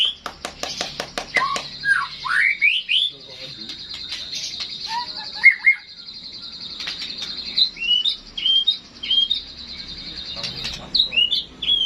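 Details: White-rumped shama in classic singing, a varied run of rapid clicking notes, a long steady high whistle and bright slurred whistled phrases rising and falling, delivered in loud bursts.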